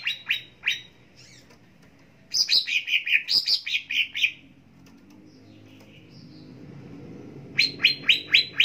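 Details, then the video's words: A cucak ijo (leafbird) sings bright, high chirping notes in quick bursts of three to eight, some sliding downward, with short pauses between phrases, as a recording for training other leafbirds to sing. "Pancingan Dan Masteran Cucak Ijo Pagi Siang Sore Dan Malam Agar Cepat Gacor"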